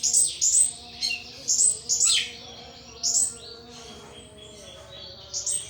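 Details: Caged thrush kept as a hobby bird, singing hard; short high bright whistled bursts and slurred notes, several in quick succession, then softer scattered phrases with gaps between them.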